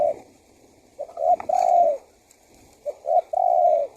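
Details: Male spotted dove cooing as a lure for wild doves: two phrases of clipped lead notes and a sustained, level coo, with a faint tapping sound during the first.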